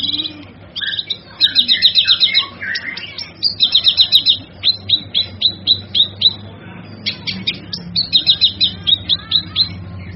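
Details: Male kinoy song meant for tutoring other birds, loud and energetic, with repeated bursts of fast high trills broken by sharp chirps and descending whistles, then a run of evenly spaced clipped notes.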